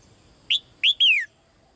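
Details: Female bird calling to the male: three sharp, loud chirped notes in quick succession, the last one longer and sliding downward, over a quiet background.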